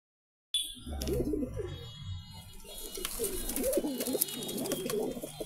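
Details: A newly paired couple of pigeons give low, throaty cooing in a rolling, repeated pattern, close and indoors.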